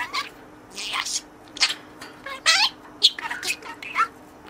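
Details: Caged pet budgerigar playing with a toy friend in its cage, talking to it in learned words: short bursts of high, speech-like chatter with bright harmonic syllables, roughly every second, in a small indoor room.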